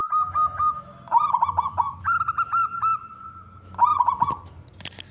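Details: Wild local zebra dove, described as a constant singer with a loud voice, cooing to draw other doves into singing. Short bursts of rapid bubbling coos alternate with strings of clipped, repeated hooting notes, all at one steady pitch.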